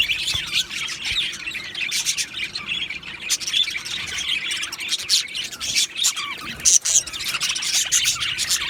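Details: Two male Australian budgerigars chirping: a continuous, busy chatter of high twittering notes and short squeaky whistles, with sharper chirps standing out around the middle and near the end.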